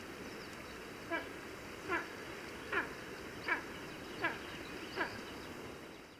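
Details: A Spanish imperial eagle (Aquila adalberti) gives six short, hoarse barking calls, roughly one every three-quarters of a second, over steady hiss and a faint high tone.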